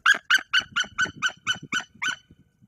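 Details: A female white-tailed eagle brooding eggs in a Polish forest nest scares off an uninvited visitor above her. Nine loud, barking kyek notes fall in an even series, then fade into quiet scratching.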